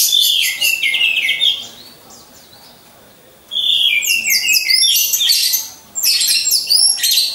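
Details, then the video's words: Caged orange-headed thrushes hung in a row, recorded as a lure for training champion birds: vigorous high warbling at the start, a soft pause, then renewed fast chattering phrases with whistled slurs. "Pancingan Burung Anis Merah"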